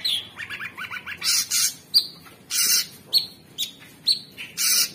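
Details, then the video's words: Orange-bellied leafbird in full song: a rapid series of falling chirps followed by loud harsh rasping bursts alternating with clear high whistles, each repeated about every half second. "Cucak Cungkok Super gacor"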